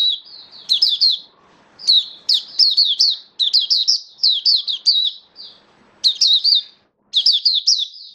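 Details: Hobby oriental white-eye delivering 'buka sing raja' song, 21 October 2022: bright, high twittered phrases of rapid chirps, each run lasting about a second, separated by short pauses, in a quiet setting.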